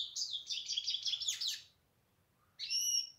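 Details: European goldfinch singing a quick, scratchy twittering phrase, pausing for about a second, then resuming with a clear, ringing buzzy note.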